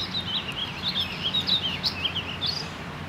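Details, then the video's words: Warbling vireo singing at Mystic Lakes on Monday, May 14, 2018: a rambling, unbroken, high-pitched warble of quick rising and falling notes over a soft low background hum. "WARBLING VIREO SINGING"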